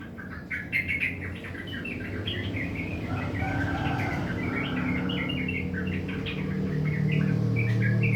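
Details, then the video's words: Sooty-headed bulbul, kept bird, singing a rough chattering song in the morning: quick series of short bubbly notes, repeated many times a second, over steady low hum. "Gacor Trucukan bunyi kasar di pagi hari"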